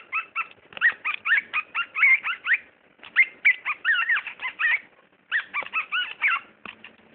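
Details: Pet talking bird chatters continuously in three long runs of quick squeaky, speech-like syllables with swooping pitch, about five per second, in a quiet indoor setting.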